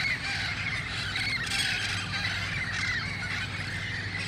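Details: Many wild red-faced parrots squawk harshly as they gather at dusk before roosting nearby, El Cajon, August 1, 2018; short screechy notes pile up continuously, a low drone underneath.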